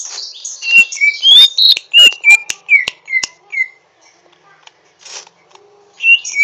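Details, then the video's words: Young-sounding greater green leafbird, Chloropsis sonnerati, practising its song with rough twittering: a run of sharp high whistled slurs, each dropping in pitch, several per second, then a pause and a new burst of chirps. "Burung cucak ijo ngriwik kasar belajar gacor"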